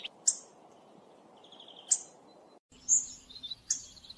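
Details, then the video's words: Hawfinch calls in a hunting mix of two recordings: sharp high ticks separated by quiet stretches over low hiss, an abrupt cut, then a brighter burst of squeaky high notes and further ticks. "Hawfinch Call Sound Mix of 2 best Hunting Sounds. صوت الكرمب او ديك الصلنج - دمج افضل صوتين للصيد"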